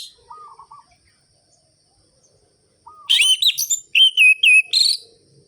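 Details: Energetic 'gacor' orange-headed thrush song in ngerol-ngeplong rhythm, played to spur sluggish birds. A short low trilled phrase sounds twice, then loud rapid whistled notes tumble up and down in sharp, rhythmic bursts.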